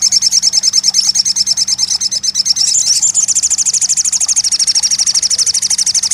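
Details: Crested jay, used to make a quiet bird start singing: a continuous rapid, evenly pulsed high rattle lasting several seconds, shifting slightly higher partway through.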